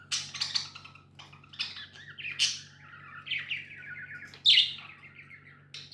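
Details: Tame budgies chattering: quick scratchy chirps, rapid trilled runs and one sharp squeaky note, delivered in uneven bursts over a constant low background hum.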